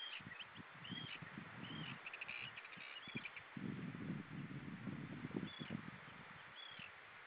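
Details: Common redshank at Hyljes, 20 June 2013, evening around 19:23, calling and then flying off; arched high notes in a quick series, then two more calls later, over heavy low rumbling noise.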